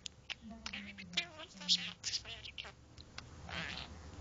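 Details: A male budgerigar (Melopsittacus undulatus), said to swear and talk a lot, rattles off rapid, scratchy imitations of human words in a high, buzzy voice.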